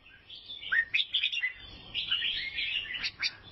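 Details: Chattering song from an albino sooty-headed bulbul recorded in Vietnam, made of quick downslurred chips and sweet warbles run closely together.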